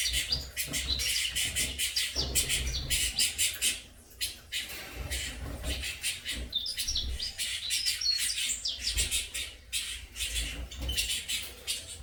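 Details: Several captive-bred saffron finch chicks produce dense, overlapping high chirps and scratchy bursts, pausing briefly near the middle, with low-pitched rumbling noise underneath.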